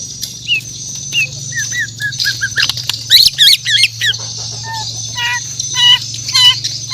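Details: Murai batu, white-rumped shama from Borneo, singing in the morning: varied whistled notes, short trills and a rapid rattling run, over a steady high hiss and low hum.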